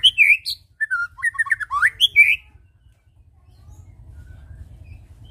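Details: Lure song of a white-rumped shama for making birds sing: a short burst of varied whistles and chattery notes over two seconds, followed by near silence with low hum.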